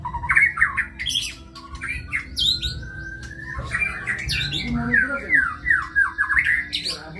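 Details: Kebyok-style white-rumped shama song mixing harsh squawking bursts, a long level whistle, and a cascade of quick downward-slurred notes, loud and varied throughout.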